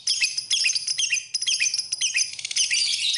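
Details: Lovebird song: shrill chirps with quick down-slurred whistles in short bursts, then a fast rattling run of clipped notes and more high twittering.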